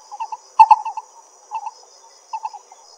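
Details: Lesser coucal in Pingtung County, Taiwan, recorded 22 May 2016: short bursts of hollow, mid-pitched double and triple notes spaced about a second apart, over a steady thin high insect hum.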